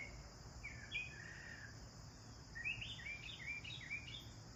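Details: Chirping sparrows at their bath, with short downslurred tweets in small bursts, growing busier in the second half, over a quiet steady hiss.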